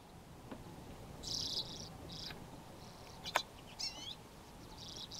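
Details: Common Redpolls, from a flock of about 80 present for months and feeding near a grain silo bag on March 8, give short, buzzy, high trills in separate bursts, with a few sharp clicks between them.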